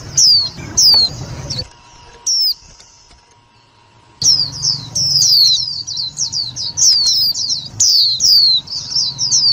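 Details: White-eye lure recording, loud and clear, used for trapping and to stir other white-eyes: thin, high descending whistled notes, a few spaced calls, then a near-silent pause, then a dense rapid run of slurred downward notes.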